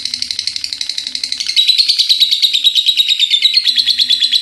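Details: Pet lovebird chattering nonstop until morning in the continuous style called ngekek: a long, fast, unbroken run of high buzzy notes, several per second, getting louder midway and holding steady.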